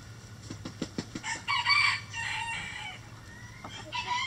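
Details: Backyard coop rooster gives a short harsh crow, opened by a run of quick clucks and followed by further faint crowing from the flock, with a constant low hum beneath.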